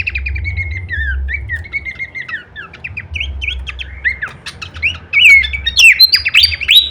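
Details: Horsfield's babbler in full-variation song used to train other songbirds: a string of short falling whistles that builds into louder, sharper upslurred notes near the end, over a steady low hum.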